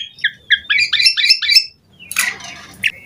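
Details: Asian pied starling singing on a lure recording for wild starlings: a run of paired chirping notes rising in pitch, then a harsh noisy squawk and a few short whistles, with a faint low hum behind.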